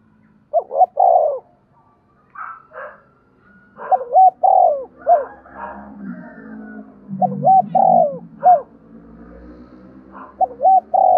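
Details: Spotted dove coos repeated in several phrases, played to stimulate other doves to call, with other bird notes and a low background hum between phrases.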